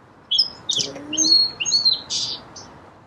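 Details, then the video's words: Song sparrow singing one song: a few clear whistled notes high up, then a broad buzzy burst and a short closing note, with a faint low steady tone near the start. "Song Sparrow Bird Sound"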